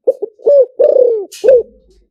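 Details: Liu tan style cooing by a spotted dove kept for luring wild birds: short double coo, a smooth coo, a long wavering falling coo and a last coo, with a brief rustle near the end.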